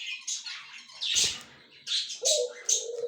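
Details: High, scratchy budgerigar chatter from a white male and yellow-green female pair on October 30, 2024, with a brief rustling burst and a low drawn-out tone near the end.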